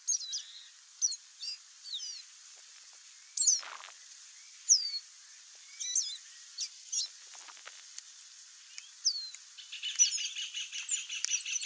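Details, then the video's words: Chestnut seedeater (Sporophila cinnamomea) singing free in the wild: thin, high whistled notes, slurred up and down, delivered in short separated phrases, ending in a quicker jumbled twittering series, with a few faint clicks. "CANTO do CABOCLINHO-DE-CHAPÉU-CINZENTO livre na natureza (SPOROPHILA CINNAMOMEA) CHESTNUT SEEDEATER"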